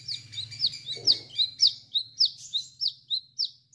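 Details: An Indonesian chestnut-capped laughingthrush singing actively with its 'wiceh wiceh' phrase. A clear, high whistle drops sharply in pitch and repeats about every third of a second, a dozen times in a steady, rhythmic series over faint low hum.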